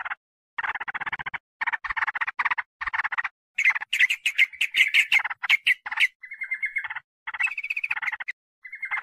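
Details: Lure sound of a sooty-headed bulbul for attracting wild birds: short bursts of dry rattling chatter, then a louder excited stretch, ending in clear, steady whistled phrases.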